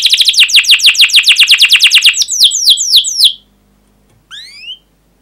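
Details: Singing canary in a 'gacor' long 'cuit cuit' style, used to stimulate young canaries learning to sing: a rapid series of sharp, descending chirps for about three seconds, then silence and a single rising whistled note.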